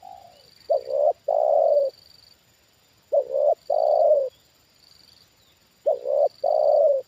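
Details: Spotted dove kept as a trained decoy, calling at a wild bird brought down a second time. Three loud low cooing phrases come roughly every two and a half seconds, each a brief double note then a long rolling coo, over a faint intermittent high whine.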